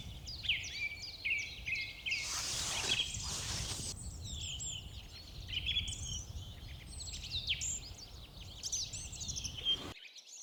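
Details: On a spring morning in a Norwegian forest, a song thrush and a redwing, both about 10–20 m away, sing loud, varied, high, clear whistled phrases among other birds; a burst of rough noise passes early on.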